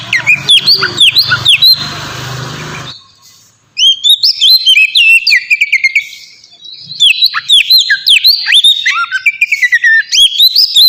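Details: Kacer, the oriental magpie-robin, giving ngeplong-style song meant to coax captive birds into singing: a noisy, rough passage, then a short pause, then long runs of bright whistled notes, quick slurs and twittering trills, delivered in dense bursts.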